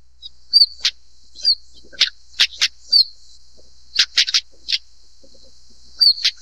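A stonechat gives hard, stone-tapping tack clicks, often in quick pairs, mixed with thin, high whistled notes, over a faint steady high hiss.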